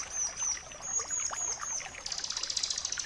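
A bar-winged prinia sings a thin, very high held whistle that breaks into a fast run of sharp, rapidly repeated chips.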